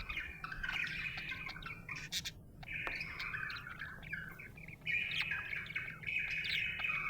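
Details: Budgerigar chirping happily, soft warbling chatter in bursts separated by brief pauses, with faint low hum in the background.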